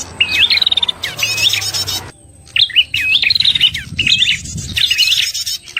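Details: Lure call of a red-headed prinia for trapping: rapid high chirps and harsh rattling bursts, interrupted by a short quiet stretch, with soft low rumble underneath.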